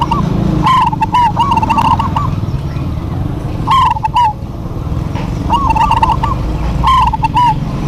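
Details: Duet of local zebra doves, lively and vocal: five rippling, bubbling coo phrases, each about half a second, come at uneven intervals above a constant low background hum.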